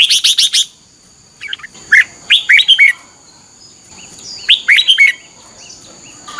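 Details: Morning song of red-whiskered bulbul in strong 'chè' style, used as lure audio for training birds: quick clusters of sharp whistled and warbled notes, then quiet gaps, a thin constant high hiss running beneath.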